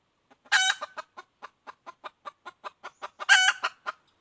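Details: Female red junglefowl calling, recorded in 2021: a run of short clucks, about four per second, opened and closed by loud, harsh, drawn-out cackle notes.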